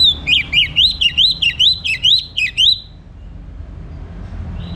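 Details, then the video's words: Orange-headed thrush morning song used to stimulate birds to sing: a fast run of about ten clear, rising whistled phrases, evenly repeated, then fading into quiet background hum. "Kembali Bunyi Dengar Pancingan PAGI HARI 99% Efektif bikin ANIS MERAH GACOR"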